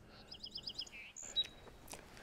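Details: A territorial Song Sparrow in the forest of Birch Bay State Park comes close in response to pishing. It opens with a quick run of bright, high notes, then drops to a lower buzzy note and ends with a thin high whistle.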